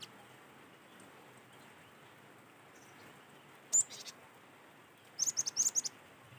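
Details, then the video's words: Cinereous tit recorded in nature as a singing lure: after a lone high note, one quick run of about six sharp, high whistled notes near the end, over a quiet, steady background. "PANCINGAN GELATIK BATU ASLI SUARA ALAM"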